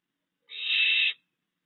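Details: A single drawn-out, rasping hiss of about three-quarters of a second from a barn owl at night in a backyard, where a family of three fledged young is still being provisioned by the male, June 2022.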